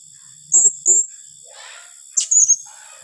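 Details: A blue-crowned hanging parrot in the rapid-fire "tembakan rapat" calling style said to rattle rival birds: two sharp high notes, a pause, then a fast stuttering run of shrill squeaks.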